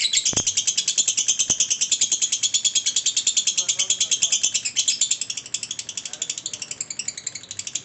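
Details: Sustained ngekek from a lovebird, a long-duration trill of rapid, piercing high notes repeated evenly several times a second, slightly fading in the last seconds.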